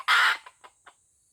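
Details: Single short, hoarse crow from a white-legged F1 junglefowl decoy bird of Aceh, trailing into three quick, softer clucks before silence.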